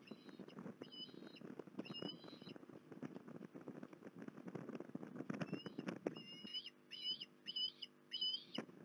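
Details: Port Lincoln osprey, recorded 21 December 2020: scattered whistled chirps early on, then a rapid run of sharp rising whistles about twice a second once the crackling background drops away.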